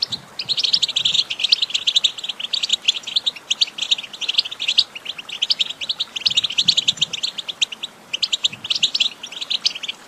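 A goldfinch sings a fast, continuous twittering of high, tinkling notes and liquid trills, with brief pauses around eight seconds in.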